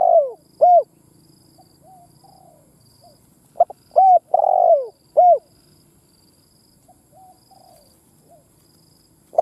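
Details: Spotted dove used as a decoy bird, in a recording for stirring other doves to coo. Its coos are low and mellow, in phrases of short arched notes around one long, falling, throaty coo, repeated twice with quiet gaps and soft faint notes between.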